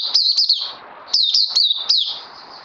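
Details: Caged oriental white-eye giving quick clusters of high, looping twittered notes, three short bursts within under three seconds.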